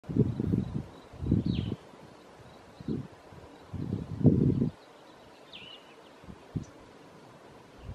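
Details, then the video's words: Hairy Woodpecker boring a hole in a tree at Dog Canyon Campground, Guadalupe Mountains National Park, Texas, 5 May 2016, chiselling wood in dull, rapid bursts of knocks up to a second long, with faint high chirps behind. "Hairy Woodpecker (Leuconotopicus villosus) Boring a Hole in a Tree"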